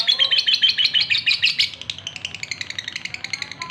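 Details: Courting male lovebird calling a female: loud rapid shrill chirps that soften midway into a quicker, fainter run of sharp high ticks and twitters.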